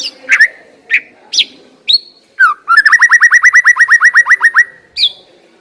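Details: White-rumped shama song used as a lure to get a shama singing quickly: loud sweeping whistled notes, then a rapid run of about fifteen identical clipped notes, ending on a rising whistle.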